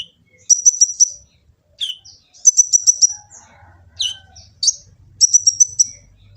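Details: Sunbird (kolibri ninja) singing a full, varied song, recorded on an Android phone in Gresik, East Java. High, rapid trilled bursts of about five notes repeat every couple of seconds, mixed with short sharp chirps. Faint low hum underneath.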